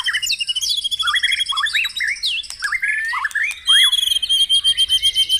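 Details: White-rumped shama song for stimulating caged birds in the morning: rising and falling whistles and squeaky phrases over steady high ringing tones, ending in a rapid pulsing trill.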